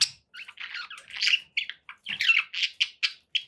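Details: Budgies kept as pets give quick, broken chirps and buzzy squawks, short notes bunched into bursts and separated by tiny gaps, rising toward the end into a string of even, clipped notes.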